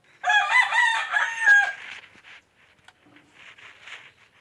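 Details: Rooster crowing: a loud harsh cock-a-doodle-doo of about one and a half seconds with several stepped syllables, followed by faint bird chirps in the background.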